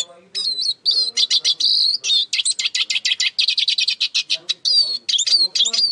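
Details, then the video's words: A Eurasian siskin sings a fast, high twittering run of chirps and trills, broken by thin wheezy notes that rise and fall, with a faint low murmur underneath. "İskete kuşu ötüşü"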